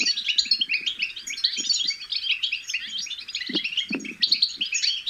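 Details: Goldfinch chicks' babble, played to encourage goldfinches to sing; a constant bright twitter of quick high chirps overlapping one another, plus short low thuds in the background.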